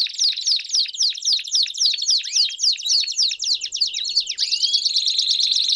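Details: Several Belgian canaries singing together to spur a canary to sing: a steady series of sharp descending notes, then rising whistles and a bright sustained trill from overlapping birds.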